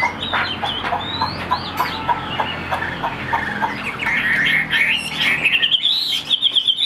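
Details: Tame Chinese hwamei in a cage: scattered harsh chucks and short clipped notes at first, then a clear rising sequence of bright whistled notes climbing steadily toward the end.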